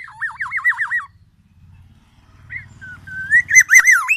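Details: Black-naped oriole from Aceh, Sumatra, singing a song filled with imitations of the oriental magpie-robin: a rapid wavering warbled whistle, a pause over a low hum, then slurred whistled notes mixed with harsh scratchy bursts.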